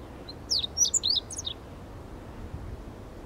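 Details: Meadow bunting giving a single short song: a rapid cluster of high, thin, slurred chirps lasting about a second, followed by quiet background hiss.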